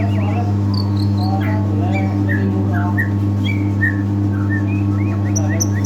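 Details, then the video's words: Medan white-rumped shama singing in its bowing display style, a song used to stir up birds in training; short bright whistled phrases and quick chips, some very high, above a steady droning hum. "Murai R9 gacor gaya maen sujud2 cocok buat pancingan burung bahan"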